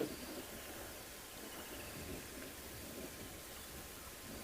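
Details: Steady hiss of rain and broadband outdoor noise at sunrise, with no animal calls standing out.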